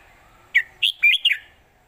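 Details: Southern Thai traditional master song by a red-whiskered bulbul, 'jok kwik khwai yo' style, used to teach birds; four crisp whistled notes with upward and downward slurs, delivered within about a second.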